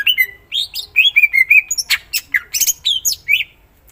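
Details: Greater green leafbird singing a dense 'full isian' song meant to set other cucak ijo singing. Clear whistles waver on one pitch, then break into fast harsh chips and high swooping notes, almost without pause.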